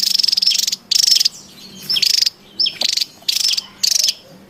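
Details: Noisy wild Javan tesia, recorded to lure and train birds: a series of short harsh rattling bursts, about six, each roughly half a second, separated by brief quiet gaps with faint whistles.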